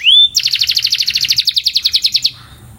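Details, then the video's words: Canary training song: a single rising whistle followed by a rapid, even rolling trill lasting about two seconds, then fading. "Som de Puxada Para Aprimorar o Canto"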